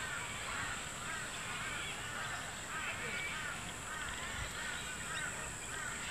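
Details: A group of about thirty wild Sulphur-crested cockatoos on a lawn at Sherwood Arboretum at dusk, seemingly squabbling over a stick. They give harsh, raucous, overlapping screeches, several calling at once, over a steady high insect hiss.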